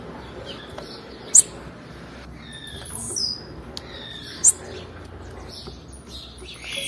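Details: Female blue-black grassquit call meant to stimulate males: two quick, very high chirps about three seconds apart with a thin whistle between them, over low steady hiss.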